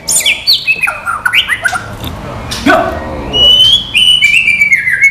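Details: Training song of a white-rumped shama without bubbling notes: a descending cascade of high whistles, a quieter gap with a harsh note, then long sustained clear whistles stepping downward.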